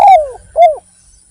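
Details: Spotted dove singing prolifically as a lure recording: a loud cooing phrase of two descending notes, the first long and sliding down, the second shorter with a slight rise and fall, on a quiet background.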